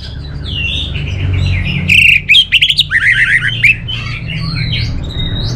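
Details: Orange-headed thrush, a kept songbird whose song is used in contest training, sings a varied run of slurred whistles. Midway comes a burst of loud, sharp, rapidly repeated notes. A steady low indoor hum runs underneath.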